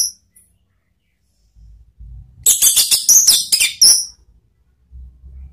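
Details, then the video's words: Orange-headed thrush singing a ngeplong and ngeriwik lure phrase for caged birds: a sudden one-and-a-half-second cluster of rapid, high, scratchy and whistled notes over a soft low hum. "memancing ANIS MERAH BUNYI NGEPLONG ¦ PANCINGAN KICAUAN ¦ NGERIWIK"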